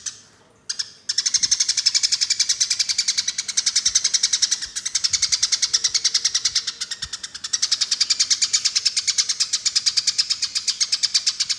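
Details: Eurasian tree sparrows chatter in a fast, harsh stream of high chirps, about ten a second, almost without a break; an aggressive fighting call used to lure sparrows.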